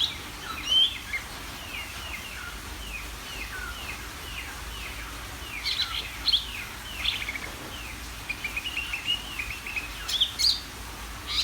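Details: Greater green leafbird singing constantly to provoke other birds, loud high whistled notes and sharp chirps in irregular bursts over a bed of soft, quick downward-slurred chirps, with a steady low hum throughout.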